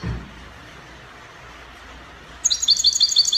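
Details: Goldfinch in Spanish copia style from Morocco: a brief low thump, long quiet, then a quick high trilled phrase of repeated tinkling notes at the end.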